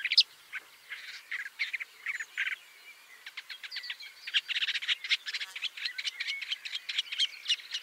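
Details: Woodchat shrike; a busy run of scratchy chattering notes mixed with short whistles, growing denser and more rapid in the second half.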